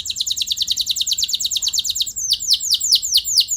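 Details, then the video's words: Canary in lively full song meant to provoke other canaries into answering, with long rolls: rapid repeated high downswept notes in a fast trill, then slower, louder, separate downslurred whistles toward the end. "Bakal Bikin Emosi Burung Kenari Lain Langsung Nyaut Gacor Ngeroll Panjang"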